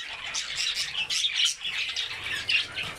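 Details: Several albino budgerigars with red eyes eating vegetables keep up steady high chirping and scratchy warbles, with short squawks standing out over a soft low background hum.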